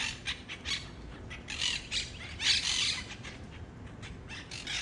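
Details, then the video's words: Harsh, raspy squawking from a group of wild monk parakeets, repeated bursts of varying loudness crowding together, the loudest near the middle, with steady low background noise. "Finally got video of the wild Monk Parakeets!"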